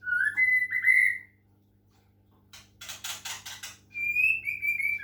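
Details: White-rumped shama (murai batu) from Medan under water-sound therapy to make it sing: rich connected whistles that rise and fall, a pause, a run of rasping rattled notes, then more sustained whistling.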